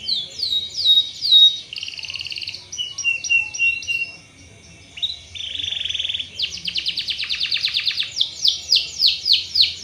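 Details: Canary song meant to prompt other canaries to sing: varied high phrases of sweeping notes, a held buzzy tone, a brief quiet gap, then fast rolling trills of repeated notes.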